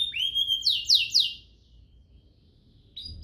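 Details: Brief canary song fragment from a tutor recording for young canaries: a rising whistle followed by three rapid descending chirps, then silence and a short high note at the close.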